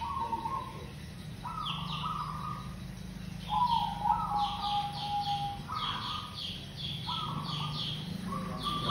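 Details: Lure recording of a local zebra dove: repeated vibrating coo phrases roughly every second or two, some stepping down in pitch, with many quick high descending chirps from small birds between them.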